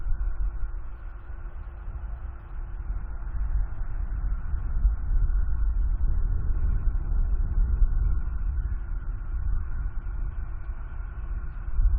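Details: Only steady low wind rumble and a faint hum are heard, with no animal calls.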